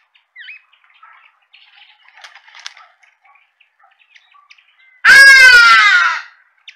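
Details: Hadeda ibis giving one loud, harsh, nasal call lasting about a second with a slightly falling pitch, following several seconds of faint scattered chirps and small rustling sounds.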